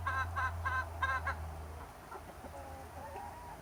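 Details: Chickens and roosters in summer: five loud harmonic clucks in quick succession, then quieter, softer notes and a thin faint whine, over a low rumble early on.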